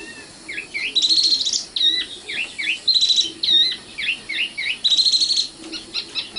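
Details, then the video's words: Common nightingale (sikatan londo) song with varied phrases: swooping, slurred whistles mixed with three bright, buzzy, sustained high bursts, separated by short pauses. "kicau burung sikatan londo"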